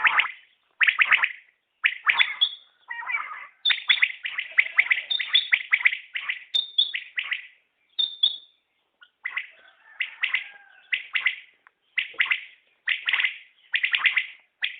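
Common quail giving sharp, liquid bursts high in pitch, repeated about once a second, with quieter chirping in the background.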